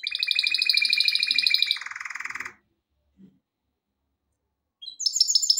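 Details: Male canary singing, recorded for song training: a fast, even roll of high trilled notes for nearly two seconds, dropping into a lower buzzy tour, then silence before a bright high trill resumes near the end.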